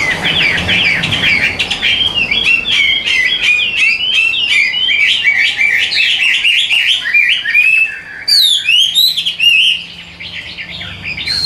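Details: Caged Hwamei with golden legs and bill and a patterned face, kept as a songbird in Vietnam, singing a long, varied run of loud rich whistles with quick slurred up-and-down phrases, some sharp high notes near the end.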